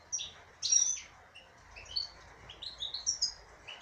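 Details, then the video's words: Female goldfinch kept in a cage sings a short phrase: a loud sharp opening note, then a string of quick, clear upslurred and downslurred whistles and twitters. "تغريد انثى حسون"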